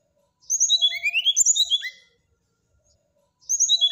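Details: Brown-chested jungle flycatcher singing in a whistling style said to provoke a neighbour's flycatcher: a rapid burst of high, slurred whistles sweeping up and down, lasting about a second and a half, then a pause before the next phrase starts.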